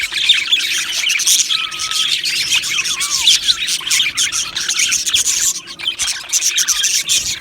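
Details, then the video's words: Budgies in an aviary singing and chirping: constant bright twitter with a few clear, longer whistled slurs standing out among fast chattering notes. "Beautiful Budgies Singing and Chirping Sounds"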